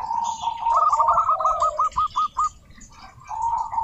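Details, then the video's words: Local zebra dove song meant to provoke other doves into singing: a soft rising coo, then a rapid rolling series of clipped, evenly spaced notes, another coo starting at the end. "Suara Burung Perkutut Lokal Gacor OBAT MACET BUNYI, pancingan perkutut agar bunyi jamin NYAUT EMOSI"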